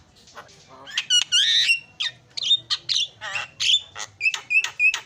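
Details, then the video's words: Javan myna singing as a lure to start a silent myna: a chattering mix of rasping, grating bursts and high whistled notes, delivered rapidly with a few short pauses. "JALAK KEBO PALING KREN KICAUANNYA"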